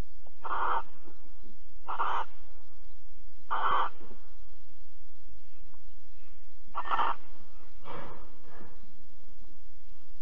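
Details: Barn owls at Alphen, 22 April 2020, around 21:37, while mating and cuddling: harsh breathy hissing screeches at uneven intervals, a gap midway, then two weaker rasps at the end, over steady low hum.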